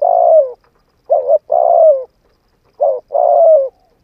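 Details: Cooing of a spotted dove, played to rouse a decoy bird for training; a long falling coo ends one phrase, then two more phrases follow, each a short quavering note leading into a sustained downward-sloping coo.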